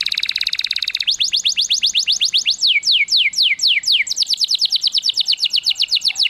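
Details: Canary song played to stimulate and teach canaries to sing: a fast, loud train of high descending whistled notes, about four per second, shifting between several trill types, with a buzzy rattling opening.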